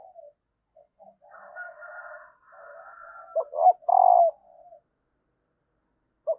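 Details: Female spotted dove calling to stimulate males to coo: soft low coos and short rough phrases, broken into uneven bursts, with a louder grouped coo near the middle and another at the end.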